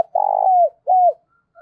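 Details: Spotted dove cooing, used to lure wild birds: a long buzzy trilled coo gliding downward, followed by a shorter, smooth falling coo, loud and close.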